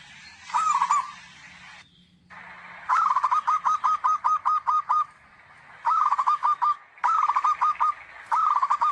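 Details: Zebra dove loud song, used as a lure for trapping birds: phrases of rapid, even cooing notes, each opening with a slightly longer note, with one long run of about ten notes and several shorter bursts between pauses.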